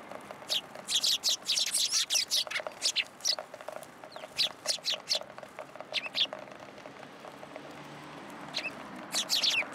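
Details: Eurasian tree sparrows coming to take food from atop a pillar at a Tenmangu shrine, 27 December 2022: dense bursts of high, sharp chirps in quick clusters, pausing briefly, then resuming toward the end.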